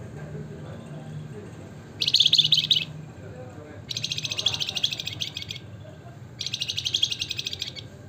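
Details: Javan fulvetta, locally called flamboyan or wergan jawa, singing in the gacor nembak ngebren nyiul style: three rapid, buzzy, high trilled bursts of about one to one and a half seconds each, separated by pauses, over a low steady background hum.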